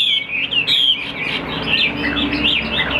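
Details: Caged Chinese hwamei, a big-built bird kept for sale and praised as a good singer that fans out when fighting, delivering a loud run of clear, slurred whistles that rise and fall, phrases tumbling closely one after another.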